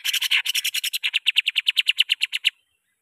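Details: Greater green leafbird song for luring and training caged birds: a fast rattling series of about twenty harsh, scratchy notes in under three seconds, steady and evenly paced.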